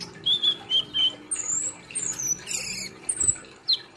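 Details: Olive-backed sunbird singing: thin slurred whistles at mid-high pitch, then higher sliding squeaks and a squeaky tangled phrase, in the 'nembak' shooting style.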